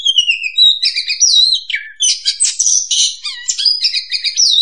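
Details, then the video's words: Lure recording of an oriental magpie-robin (kacer) used for trapping: loud, nonstop song opening with long descending whistles, then dense buzzy and whistled phrases. "suara pikat burung Kacer paling ampuh"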